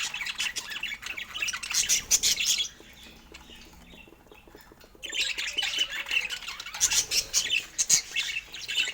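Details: Budgies feeding on fruit give bursts of fast, sharp chirps and buzzy chatter, separated by a quiet stretch of a couple of seconds in the middle.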